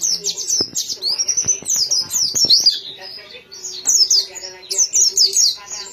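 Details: High sweet twitter from a white-eye, long flowing runs of rapid slurred chirps with a few clicks and taps early on, a soft low hum throughout.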